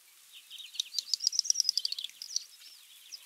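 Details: Great Snipe: a fast, quiet, high-pitched series of dry clicks speeding into a bubbling rattle, mixed with thin rising and falling whistled notes, then fading.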